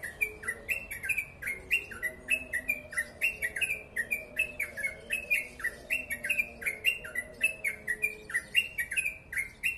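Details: Rapid 'ropel panjang' singing from a yellow-vented bulbul, known locally as crucukan: a dense, steady run of short chirped notes that swing up and down, repeated without pause over ten seconds, with a soft background hum.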